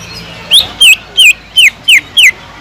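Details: Greater green leafbird song mimicking kingfisher phrasing, used for tutoring: six evenly spaced, loud, down-slurred whistled notes, roughly three per second, over quiet hiss.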